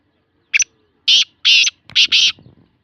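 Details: Black francolin calling in Sindh, Pakistan: a brief clipped opening note followed by four loud, harsh, buzzy grating notes in quick succession, the last two nearly run together, with little other sound.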